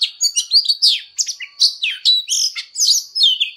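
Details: Oriental magpie-robin singing its fighting song, loud rich whistled phrases and harsh scratchy notes in quick bursts, roughly four per second.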